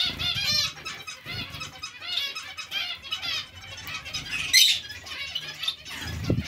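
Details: Zebra finches in a colony shared with Bengalese finches, giving a dense chorus of short nasal, buzzy calls with stacked overtones, overlapping continuously, with soft thumps and fluttering low in the background.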